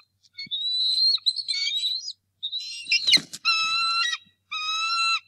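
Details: Male bald eagle facing an intruder at the Decorah North Nest, morning of March 2, 2018, during egg season: squealing high twitters run into a harsh burst, then two drawn-out, steady, ringing piercing screams.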